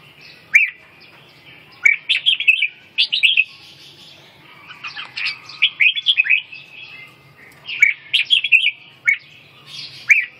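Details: Red-whiskered bulbul singing short, bright warbled phrases of quick rising and falling whistles, with phrases spaced a second or more apart over a faint low hum.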